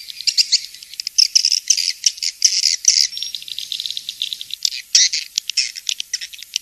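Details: High-pitched swiftlet twittering in the King's Star style, with quick chirps, scratchy trills and a few clear whistled squeaks packed closely together.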